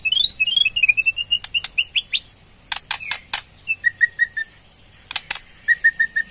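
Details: Borneo white-rumped shama rattling ketrekan, used to make other birds answer: high twittering whistled phrases, a few loud dry clicks, then evenly repeated short whistled notes, about five in a row.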